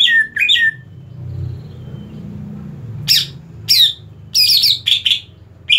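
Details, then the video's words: Cucak ijo, the Greater green leafbird, in form for a singing contest: sharp, squawky whistled bursts with rapid slurred notes, clustered near the end, separated by pauses filled with low room rumble. "burung cucak ijo siap untuk dilombakan"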